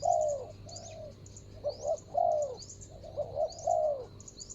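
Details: A decoy spotted dove calls on the ground to draw in a rival bird. It gives soft hollow coos, two quick notes then a drawn-out descending crooo, repeated in phrases, with faint high twittering from other birds throughout.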